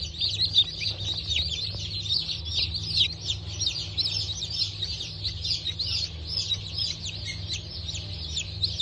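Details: Freshly hatched Brahma and Wyandotte chicks, 19.10.2024 hatch, giving a busy stream of high, sharp downslurred peeps from many birds at once, the loudest cheeps rising above the chorus, over a low constant hum.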